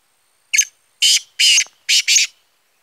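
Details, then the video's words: Black francolin recorded on 25 July 2020, giving one phrase of five harsh, rasping, broadband notes over about two seconds: a short first note, two longer grating notes, then a quick double note. The background is quiet. "kala teetar Awaz"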